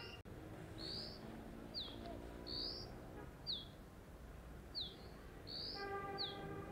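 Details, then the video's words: Loud call of a Dark-grey bush chat on a deodar twig, Jabbarkhet sanctuary, western Himalayas: a string of high, clear whistles alternating upslurred and steeply downslurred notes about every half second to second, with a soft click early on. "Dark-grey Bush Chat is a cute little diminutive bird with a loud call"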